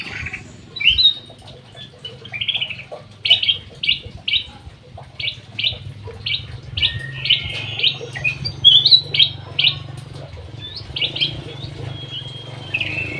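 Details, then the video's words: Golden bulbul kept in an aviary, singing a long sequence of evenly spaced crisp chirps and short whistled slurs, steady and repetitive, over faint low hum. "KUTILANG EMAS GACOR"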